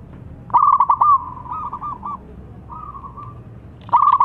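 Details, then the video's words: Juvenile zebra dove of a local strain, kept as a lure for wild doves, sings with a thick voice: loud stuttered cooing bursts, then drawn-out wavering coos, a pause, and a final stuttering burst over faint low hum. "ANAK PERKUTUT LOKAL GACOR SUARA TEBAL"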